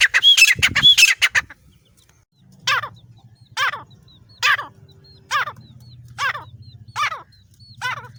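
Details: Female grey francolin from Layyah, a call used as a lure for hunting: harsh, loud squawking bursts at first, then a steady series of sharp, descending ringing notes repeated about every second over a low rumbling background.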